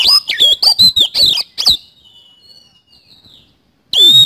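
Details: Oriental magpie-robin in vigorous 'isian kasan' song: a fast run of shrill whistles and scratchy notes for nearly two seconds, faint quiet warbling, then one more loud piercing phrase.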